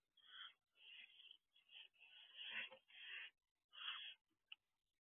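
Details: Barn owl owlets on the roof of the owl box at 3:11 am: quieter, breathy wheezing hisses in a near-continuous series of uneven bursts, ending with a short sharp click.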